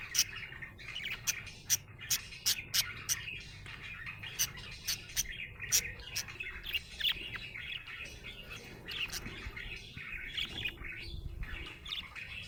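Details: Budgerigar chirping happily, with bright clicks and short chirps scattered over a continuous soft warble. Bursts come in clusters, then ease into quieter chatter toward the end.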